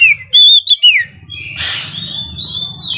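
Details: Lively Oriental magpie-robin song used to stir rivals to fight: clear ringing whistles rising and falling, a brief harsh noisy burst, then a thin sustained whistle, over low background hum.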